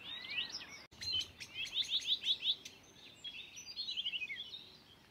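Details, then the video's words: Blyth's reed warbler, a wild mimic, singing at an Ings nature reserve in the UK on 11 June 2020: bright rapid phrases of repeated chirpy notes, a run of six quick identical tweets, then a descending trill of short notes. "The amazing BLYTH'S REED WARBLER singing in the UK"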